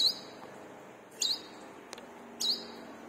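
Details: Brown-throated sunbird calling as a lure for caged birds; three high, swooping chirps about a second apart, with a single sharp click between them and a steady hum below.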